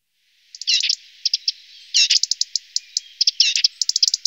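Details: Lesser spotted woodpecker feeding its young: sharp, high chirps in quick clusters, some with a rapid ringing quality, broken by short pauses and scattered single ticks.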